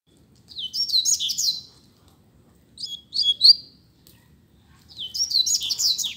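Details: Rusty-collared seedeater (coleiro), a kept bird in a singing contest, gives three bursts of high, fast chirpy warbling, each about a second long, with short silent gaps between them and a faint low hum underneath.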